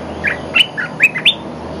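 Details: An olive-winged bulbul gives its lure call: five or six clear, sweet notes, some sliding upward sharply, spaced by brief pauses over low background noise.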